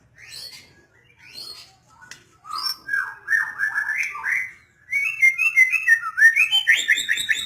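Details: White-rumped shama starting with soft, scattered high notes, then building into a loud, varied series of fluty, slurred whistles that climb higher toward the end.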